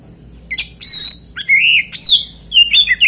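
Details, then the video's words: Short stretch of oriental magpie-robin song meant to provoke other magpie-robins: scratchy buzzy notes followed by long, sliding whistled phrases and quick warbles, loud and clear over a soft hum. "PANCINGAN KACER NGEPLAY ANTI NGRIWIK DIJAMIN KACER LAIN IKUT GACOR."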